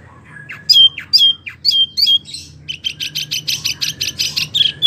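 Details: Wambie mini singing vigorously: a few thin rising notes, then sharp downslurred whistles with a clipped end, then a fast run of bright, buzzy chirps.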